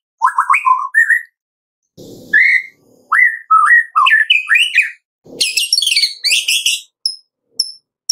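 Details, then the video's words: Medan-type White-rumped shama singing in the morning, a lure to get captive shamas singing; varied slurred whistles, rising and falling phrases, a brief harsh rasp, then high bright notes and clipped calls. "Pancingan pagi hari MURAI BATU MEDAN GACOR FULL ISIAN 99% AMPUH buat Pancingan murai batu agar bunyi"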